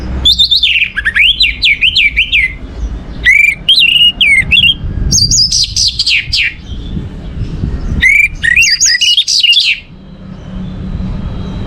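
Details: Orange-headed thrush song for prompting other birds to sing: four dense bursts of fast, varied whistled and trilled notes, each a second or two long, with quiet gaps and low background hum.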